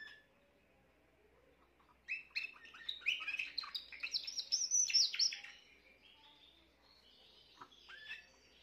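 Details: On 14 June 2023 a young Timbrado canary of the current year starts after two seconds of quiet, delivering a rich, rapid twittering trill that climbs higher, then fades to a few scattered chirps.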